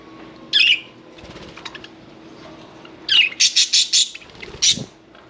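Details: Budgerigars kept as pets, one bathing: a lone scratchy chirp, quiet fluttering, then a quick run of bright repeated chirps ending in a sharp squeak.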